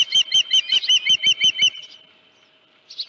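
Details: A rapid string of shrill whistled chirps from an Osprey at its Dunrovin Ranch nest, 31 July 2018, 9:43 AM, headless fish at the nest. The calls stop after under two seconds, leaving near quiet and a faint final note.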